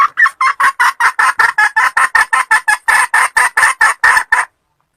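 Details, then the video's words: A wild red junglefowl hen cackles in a fast, even run of about twenty loud, harsh clucks, roughly four per second, then stops abruptly. "Malupit na kakak ng inahing labuyo | Powerful sounds of forest hen chicken"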